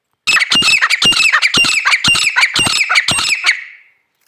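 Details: Female grey francolin producing a loud run of harsh, squawking notes, roughly two per second, over about three and a half seconds, fading away at the end.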